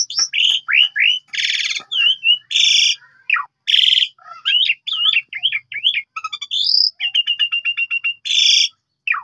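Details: Asian pied starling song used as a lure to prompt other birds to sing, heard morning, noon and night: a rapid varied medley of whistled upslurs, buzzy harsh bursts, chattering trills and repeated clicking notes with brief gaps.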